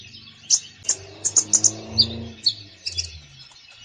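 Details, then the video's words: Konin bird singing actively with a full, varied song, used as training for a reluctant konin: sharp high chirps scattered at irregular intervals, with a faint low hum underneath. "KONIN GACOR FULL ISIAN"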